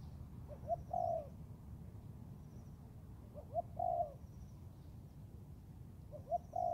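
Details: Spotted dove, young Thai-bred bird being trained in the forest, repeating its three-part coo, two short notes and a longer slurred ending, roughly every two and a half seconds against steady low noise.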